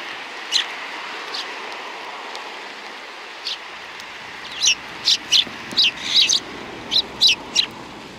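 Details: Sparrows on 31 January 2020 chirping in a lively run of short, bright notes, sparse at first then coming roughly every half second in the latter half, over a windy outdoor background.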